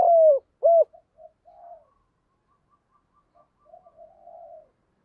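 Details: Spotted dove fighting coo used for luring wild doves: a long falling coo and a short rounded one open the passage, then soft, faint murmuring coos trail off.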